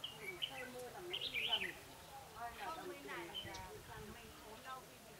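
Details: Red-whiskered bulbul, a decoy bird singing to provoke rivals, in the style locally called mồi ché: a few short bright whistled phrases early on, then fainter chattering notes, with low murmuring background noise throughout.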